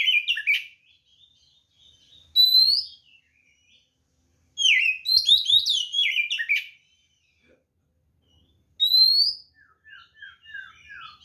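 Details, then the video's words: White-rumped shama giving an energetic fighting song meant to provoke other shamas into answering: loud bursts of varied whistled, sliding phrases separated by short pauses, the longest a rapid tumbling run of chirps, ending with softer descending notes. "SUARA BURUNG kacer gacor NGEPLONG TARUNG"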